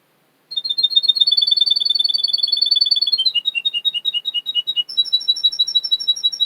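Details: Russian canary song from a breeder in Miami, Florida: fast, high, even trills of rapid chirps, first a long steady roll, then a falling series of quicker notes, ending in a brighter repeated trill.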